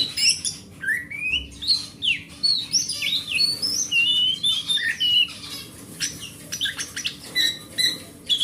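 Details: Oriental magpie-robin from the forest in full song, used as a prompt for a silent magpie-robin: a long varied run of rising and falling whistles, trills and chattering notes, busy and nearly continuous, with a steady faint hum underneath.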